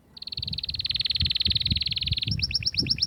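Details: Atlantic canary singing to stimulate females toward mating: a steady fast-pulsed trill lasting about two seconds, then breaking into a few higher rising chirps over a low background murmur.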